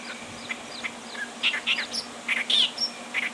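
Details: At Bhigwan in December 2023, a clamorous reed warbler delivers loud, scratchy chirps in short clusters. The notes mix rising squeaks with rough churrs, set against a steady low hum.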